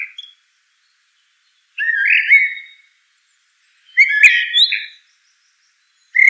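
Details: Song of a Eurasian blackbird: unhurried, separate phrases of low flute-like whistles about every two seconds, each closing with a sharp high squeak; nothing else audible.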